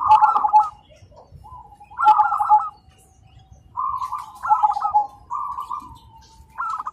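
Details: Zebra doves (perkutut) calling to each other in the morning: clear bursts of rapid stuttering coos, two birds overlapping, phrases about every two seconds with quiet pauses between.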